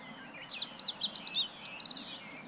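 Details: Meadow Bunting (Emberiza cioides) singing on 20 March 2015: one brisk phrase of about two seconds. It holds high, sharp, varied chirps and short slurred notes, then closes with a quick run of clipped ticks. The background is quiet.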